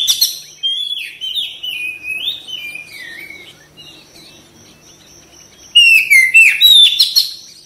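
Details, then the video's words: Oriental magpie-robin singing actively, a therapy recording to make birds respond fast and open their tails. Rapid chains of descending whistled notes, a quieter pause with a faint steady tone, then a dense loud outburst. "TERAPI KACER CEPAT RESPON GACOR BUKA EKOR"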